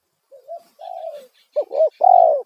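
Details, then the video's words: Spotted dove calling loudly as a lure for wild doves: soft wavering coos rise into a sharp hooked double note and a long, strong, slightly falling coo; faint twittering of small birds behind. "Panggilan suara tekukur kuk satu suara lantang auto burung liar respon"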